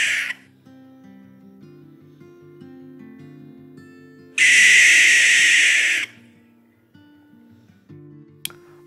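A barn owl gives one long, harsh, hissing screech lasting about a second and a half, with a brief rasp at the start and soft background music throughout.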